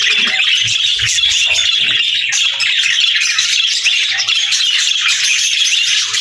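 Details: Playful budgies fill the air with constant shrill chirps, squeaks and scratchy warbling from many birds at once, with a few low taps early on.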